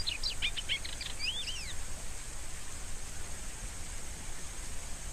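A Rusty-collared Seedeater gives a quick, high twittering phrase of chirps and slurred rising notes lasting under two seconds, over steady hiss and low rumble.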